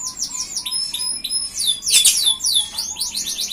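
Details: An F1 canary sings vigorously as a lure and master song for other canaries. Fast runs of high, sweeping chirps blur into a dense burst midway, then break into quick repeated trills. Soft lower whistles sound beneath.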